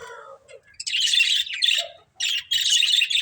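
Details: Pet budgerigars, a budgie family, chirping: a low warbled phrase, then bursts of dense buzzy chatter broken by a short whistled note, with brief pauses between.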